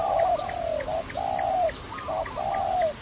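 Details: Close, loud dove coos from a trapping recording: three long smooth falling coos each preceded by a short note, in three seconds, with a higher fluttering chirp overlapping and faint ticking above.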